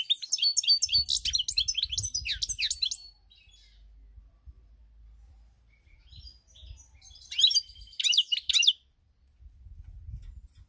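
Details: European goldfinch song from 7 March 2021, delivered in two bursts: a three-second jumble of quick chirps and twittering notes, a quiet pause, then a shorter sharp twittering phrase.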